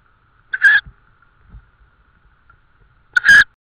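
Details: Evening at an Estonian tawny owl nest, 18 May 2013, prey brought in: two loud, coarse screeching calls about two and a half seconds apart, with soft low thumps between them and a faint hum.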